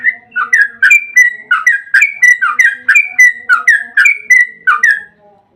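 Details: Loud, rolling song of a yellow-vented bulbul, a long 'ropel' recording used as a lure to prompt other bulbuls to sing. Warbled, slurred notes repeat about three per second in a steady stream.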